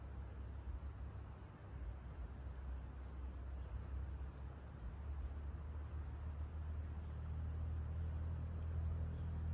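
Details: Steady low rumble of passing vehicles and traffic outdoors, growing slightly louder toward the end, with no animal voices.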